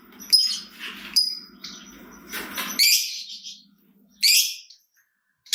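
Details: Lovebird chattering used as a lure to get other lovebirds singing: sharp high chirps and shrill bursts in short separated groups, with a low hum underneath and brief pauses between outbursts.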